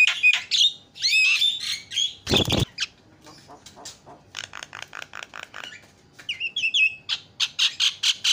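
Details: Javan myna calls used as a lure to make other birds call: bursts of squawky chatter, a loud rasping burst, rapid clicking notes and paired whistled slurs, ending in a fast run of sharp notes.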